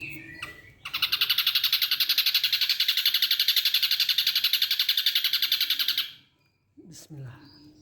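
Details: Ashy drongo (Dicrurus leucophaeus) imitating a kingfisher: a shrill, rattling run of rapid notes, about four a second for five seconds, recorded one morning in September, followed by a brief human voice.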